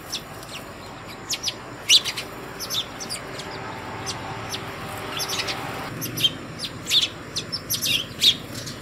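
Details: At a home hanging feeder in the early morning, house sparrows call other sparrows to food with a busy run of sharp, clipped chirps, sometimes several per second, continuing steadily throughout.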